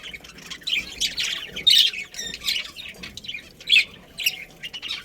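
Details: Budgies from a breeding colony giving rapid, high, raspy chirps and squawky warbles, several birds calling at once in uneven bursts with brief pauses.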